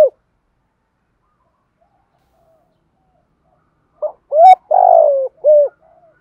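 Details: Spotted dove, male and female calls used in training decoy birds: a long near-silence, then one cooing phrase near the end with short clear coos around a long, rough, falling coo and a faint click.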